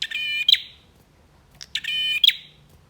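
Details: Male bar-winged prinia, a lively singer used to stir birds that have stopped singing, gives two buzzy, harmonic-rich notes about 1.7 seconds apart, each a steady nasal buzz ending in a sharp bright click, over a quiet low hum.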